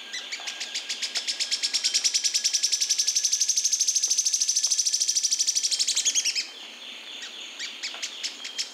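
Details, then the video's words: Yellow-chinned spinetail singing a long, fast churring trill that swells in loudness over six seconds, followed by a few quieter separate high chips. "CANTO DO JOÃO-PORCA / Capitão-da-Porcaria / João-do-Riacho"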